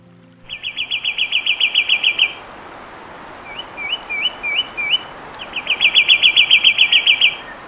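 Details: Fulvous wren giving its loud song, a fluid run of whistles and trills: a fast, even trill of about twenty notes, five short upslurred whistles, then another long rapid trill, over quiet background hiss.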